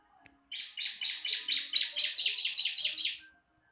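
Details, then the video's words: Ciblek (bar-winged prinia) singing for training other birds: a fast, steady string of about eleven bright, buzzy, high chirps lasting nearly three seconds. "Marteran burung ciblek langsung bunyi"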